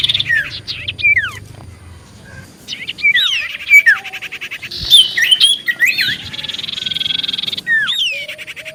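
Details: Common iora singing to provoke other birds into replying: scattered downslurred whistles, then a dense burst of warbled, looping notes over a sustained buzzy trill, with more slurred whistles after.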